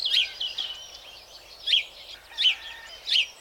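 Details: A House Sparrow, a bird that loves hedges, sings short, bright chirps, about one every three-quarters of a second, in an uneven series over a faint background hiss.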